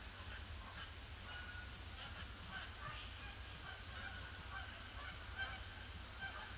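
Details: Many Canada geese circling a pond before landing on a gloomy Boxing Day; a steady wash of overlapping honks from the flock with low background rumble.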